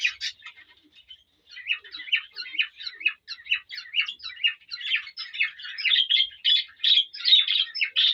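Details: A courting male cockatiel sings to a female: after faint opening chirps, a steady series of short warbled notes builds, growing louder and more rapid toward the end.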